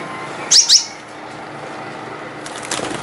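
A Gouldian finch gives two quick, thin, very high chirps about a fifth of a second apart, then falls quiet over a soft background hiss.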